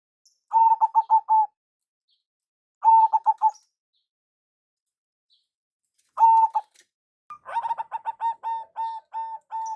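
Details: Local zebra dove lure calling: three short bursts of rapid coos separated by pauses, then a fuller phrase of quick notes slowing into spaced, clear coos.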